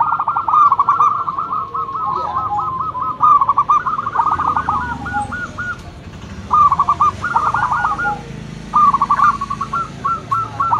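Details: Local zebra dove, a loud lure bird, singing bursts of rapid stuttering coos at mid pitch, three phrases each ending in a few spaced rolling notes, with faint rural background hum.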